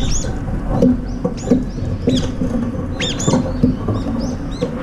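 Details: Brown-eared bulbuls, as many as five eating together and pecking rivals away from the food. Short, sharp, upslurred chirps repeated irregularly, mixed with soft low thumps and knocks.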